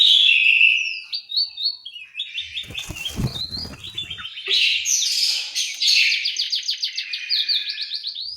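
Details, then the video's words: Orange-headed thrush singing in an aviary in Malang, East Java. Clear whistles and stepped notes lead into long runs of fast repeated trilled notes, with a burst of broadband clattering midway. "suara burung anis merah"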